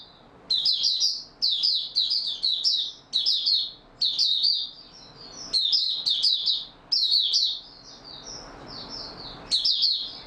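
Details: Oriental white-eye singing in stable form, 28 February 2022: about ten high, fast twittering bursts over ten seconds, plus a softer trail of thin whistled notes in between.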